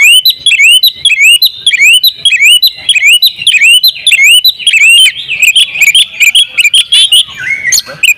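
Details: Oriental magpie-robin, a champion training bird singing with full fill-in phrases in a lively style. Loud rhythmic run of upward-sliding whistled notes, about two per second, breaking into denser chattering phrases near the end.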